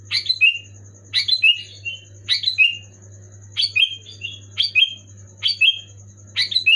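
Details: Kutilang (sooty-headed bulbul) in brisk 'gacor' song meant to trigger other pet bulbuls: about nine short bright phrases, nearly one per second, each a downslurred bubbly whistle, over constant low hum.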